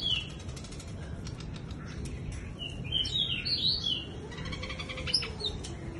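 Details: Bush lark in a wing-fluttering display, singing like a skylark: scattered clicky ticks early, then a short rich burst of high slurred whistles midway and a sharp note near the end, with steady background noise.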